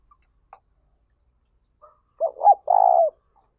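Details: Decoy spotted dove used to excite and train other doves, 2021. A few faint ticks and clicks precede one full phrase: two short bent notes, then a sustained buzzy coo sliding down at its end.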